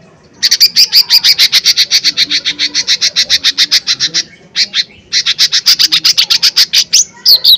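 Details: Lesser green leafbird (cucak ijo mini) delivering loud 'tembakan keras' song to provoke rivals: long, steady runs of harsh, buzzy notes about four per second, broken by two short pauses, ending in sharper high notes.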